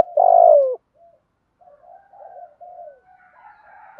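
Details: Spotted doves, male and female, calling to stimulate singing for training; one loud long descending coo at the start, then faint soft murmuring notes and a brief note at the end.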